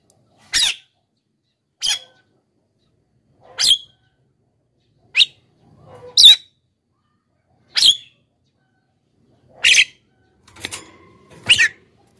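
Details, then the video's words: Javan myna song played as a lure for wild birds and to prompt silent birds to sing: short sharp separate notes, each a brief bright burst repeated every one to two seconds, with a softer harsh note near the end. "suara pikat JALAK KEBO GACOR...suara untuk pikat dan pancingan untuk jalak yg macet bunyi"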